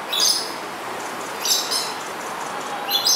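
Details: A coconut lorikeet in Singapore, where it is an introduced species now breeding locally, gives three shrill, harsh screeches about every one and a half seconds over a steady background hiss.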